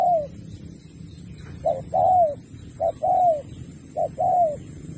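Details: Spotted dove in a 2024 singing contest, song style 'lối Thúc kèm Bo': three paired phrases, each a short clipped note followed by a longer, slightly falling coo, repeated roughly every second, over steady high hiss and low rumble.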